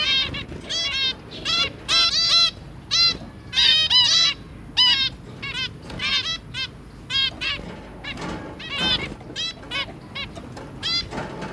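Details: Zebra finch pair with three babies, recorded 23 January 2022. Loud, clear nasal beeps repeat rapidly and unevenly for eleven seconds, often in pairs, with little other sound.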